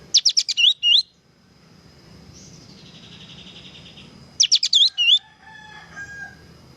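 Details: Kapas tembak bird singing energetically, recorded as a training track: rapid sharp notes running into looping whistled phrases, a thin steady tone between, then the same quick phrase repeated after about four seconds.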